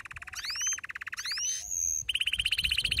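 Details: Excited male canary singing to urge other canaries on: a steady pulsed mid-high roll with upward sweeping whistles laid over it, then a faster, brighter rattling trill.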